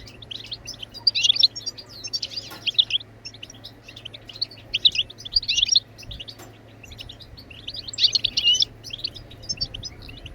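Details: European goldfinch song, played to get other birds singing: bursts of dense tinkling and buzzy twitter separated by short quieter gaps, with a faint low hum and a couple of clicks.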